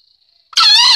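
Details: Green junglefowl courting a hen: a sudden, loud, shrill, harmonic squealing cry lasting about half a second. It bursts out after a near-silent stretch carrying only a faint, steady, high insect hum.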